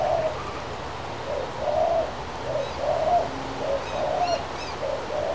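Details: A male crested pigeon eating from a person's hand gives soft, low coos, repeated irregularly about every half second to second, while faint high chirps from another bird sound behind.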